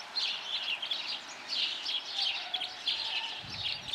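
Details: Chorus of red crossbill calls, quick sharp chirps in bursts and overlapping clusters, steady throughout, with a soft low rumble near the end.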